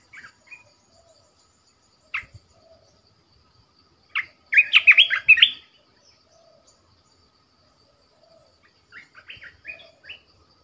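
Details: Caged red-whiskered bulbul kept as a decoy bird, singing bright, warbled phrases of quick rising and falling whistled notes, a loud burst of about six notes mid-clip with quieter phrases before and after.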